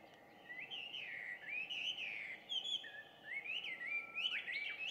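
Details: Chinese hwamei, an introduced species, in loud dawn song around 5:30 on 2 June 2019, heard from a distance. Varied, fluid whistled phrases rise and fall continuously, with a steady low hum underneath.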